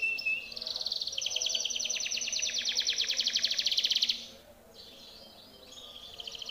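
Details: Timbrado canary song for training: a short high note, then a long loud rapid pulsing trill lasting about three seconds, followed by softer fragmented phrases.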